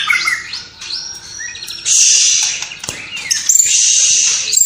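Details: White-rumped shama from Cililin singing with mimicked sparrow, fighting lovebird and kapas tembak calls: clear level whistles and slides at first, followed by long, dense, hissing high buzzes.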